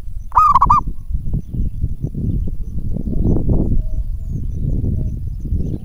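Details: Local zebra dove, a strong caller kept as a lure to draw replies from other doves: one short wavering stuttered coo near the start, followed by continuous low rumbling background noise.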